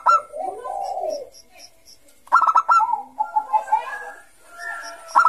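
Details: Zebra dove of the Bangkok type, a perkutut kept as a lure for young birds, in lively ngayer song: a drawn, wavering coo, then after a short silence a fast string of clipped notes and a trailing mellow phrase.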